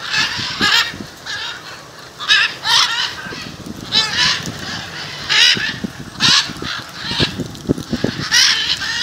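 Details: Macaws gathered in front of a home in Jaumave, Tamaulipas, Mexico, February 2015: loud grating screeches about every second, several birds calling over one another, with soft low knocks and rustling underneath.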